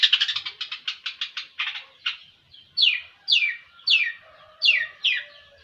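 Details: Rapid rasping notes from a long-tailed shrike slowing down, followed by five loud downslurred squeaky calls spaced about half a second apart.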